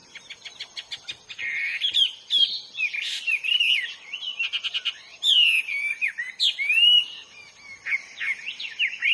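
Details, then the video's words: Wild Hwamei song, a mix of rapid clicking trills and loud rich whistled phrases, varied and energetic, with brief pauses between bursts. "burung HWAMEY GACOR DI ALAM LIAR"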